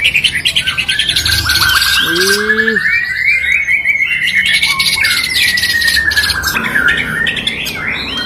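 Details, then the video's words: Murai batu, the white-rumped shama, in an online song contest: a sustained whistled line wavers across several seconds beneath a continuous dense trilling chatter, with a short harmonic squawk early on. "Lomba Burung Online Murai Batu"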